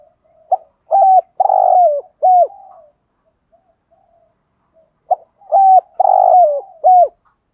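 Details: Spotted dove in the 'thúc gù' cooing style meant to excite wild doves: two loud bursts of short, clipped, mid-pitched coos with a softer trailing note, separated by a quiet gap of faint murmurs.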